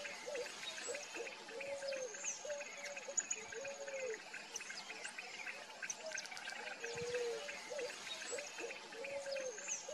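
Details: A free-living Picazuro pigeon (Patagioenas picazuro) in Brazil gives low, hollow, repeated coos in a steady rhythm over a busy chorus of higher chirping birds and insects.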